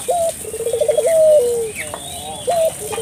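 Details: Barbary dove giving vigorous calls to draw local doves into calling: a high opening note, a quick rolled trill, then a sustained falling coo, repeated once more at the end.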